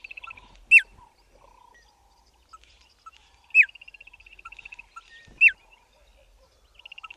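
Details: A pair of Bokmakieries duetting in Southern Africa: loud sharp downswept whistles about every two and a half seconds, each followed or preceded by a rapid even trill of high ticking notes, with soft lower chirps between.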